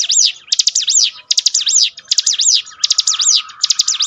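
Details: Bar-winged prinia song for mental training of birds: loud, piercing, rapid chirps grouped in short bursts separated by brief pauses, high and looping, on a clean quiet background.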